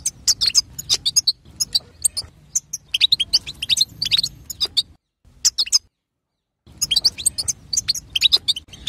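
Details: Chattering of a female European goldfinch, played to set a male singing: dense bursts of sharp, high tweets and twitters, run together in quick phrases, interrupted twice by brief silences.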